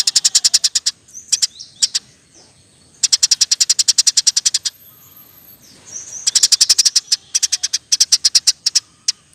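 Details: Lively Eurasian tree sparrow singing 'roll tembak' chatter, meant as a master recording for teaching other songbirds; long fast runs of piercing high chirps in three main bursts, broken by short pauses with faint slurred notes.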